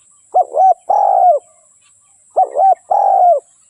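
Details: Decoy spotted dove calling to attract wild doves into a trap, giving two full phrases of a brief double coo followed by a longer, steady, slightly falling coo, about two seconds apart, in quiet surroundings.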